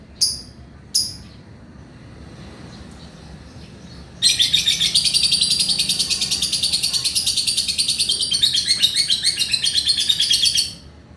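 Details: Male lovebird in full chattering song, used to encourage lazy or young lovebirds to sing; two brief chirps, then a long dense burst of rapid high shrill trilling chatter lasting about seven seconds.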